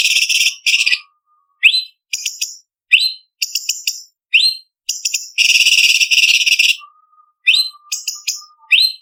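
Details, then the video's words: Cucak cungkok leafbird song used to train contest birds: bursts of fast buzzy trills mixed with short upswept whistles and chirps, with a thin low whistled tone at the start and again near the end. "Masteran Cucak Cungkok Istimewa ~Isian Kasaran Pedas Variasi ~ Tembakan Masteran Burung Lomba"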